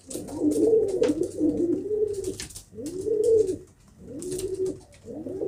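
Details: Pigeon giving rounded, rising-and-falling coos in repeated phrases about a second long, with light rustling noises behind.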